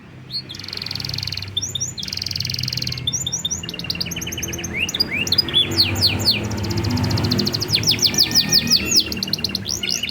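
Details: Canary master song in a 'blak strut' flavoured style, used to make other birds sing: two long buzzy rattles, then rapid chattering trills and cascades of quick falling whistles building to a dense, continuous warble, with a low hum beneath.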